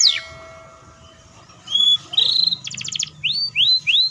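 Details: Singing canary giving a long rapid roll, meant to prompt young and silent canaries to sing: after quiet, a few drawn-out whistles, a short fast rattle, then three quick rising notes.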